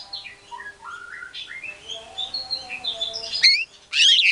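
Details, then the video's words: White-rumped shama song used as a lure to provoke other shamas into answering: a run of clear whistled notes stepping upward, short slurred phrases, then two loud harsh buzzy bursts near the end. "PANCINGAN MURAI BATU GACOR BONGKAR MATERI SEREM, SEKALI DENGAR MURAI NYAUT LANGSUNG EMOSI"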